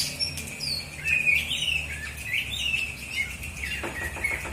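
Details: Oriental magpie-robin, a kept songbird in South Aceh, Indonesia, singing: thin whistled and slurred notes around a steady high tone, with faint clicks and low background hum.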